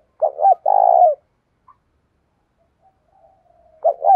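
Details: Spotted dove calling to challenge another to fight, in the Vietnamese 'giọng đồng thổ' voice style: two short mellow coos then a long throaty vibrating coo, pausing about three seconds before the next phrase begins, in a quiet setting.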